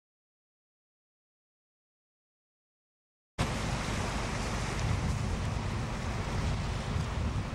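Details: Silence for over three seconds, then steady broadband rushing of wind and surf with no animal voices.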